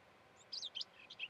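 A Eurasian blackcap gives a quick burst of four or five high, thin chirps in just over a second, against faint background hiss.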